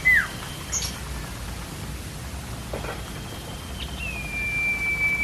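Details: Common iora (cipoh), in the lively cicok style used as a master for coaxing untrained songbirds: a short falling whistle, then faint high notes, ending with a long, level whistled tone over a background of steady rain-like patter.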